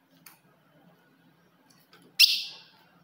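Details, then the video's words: One loud, sharp chip from a female ultramarine grosbeak, used to provoke a male, ending in a fading ring. Two faint ticks come before it over a quiet low hum. "se o seu azulão não segura fogo de fêmea"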